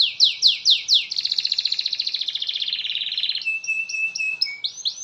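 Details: Canary giving a long, continuous 'gacor' song, played to get other canaries singing: three loud sweeping whistles, then a fast buzzy trill of about twenty pulses, ending in short high notes over a steady tone; quiet background.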